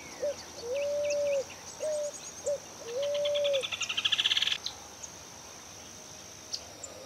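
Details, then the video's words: Pigeon or cuckoo vocalizing in 2018: alternating long and short level whistled notes, then a fast buzzy rattle for about a second, with faint high chirps around. "Cantos y gritos de aves Familias Columbidae y Cuculidae"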